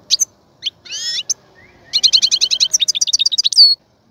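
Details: European goldfinch in a cage prepared for mating sings a few scattered chirps and a rasping buzz, then a rapid, evenly spaced series of tinkling notes ending in a drawn-out nasal tone.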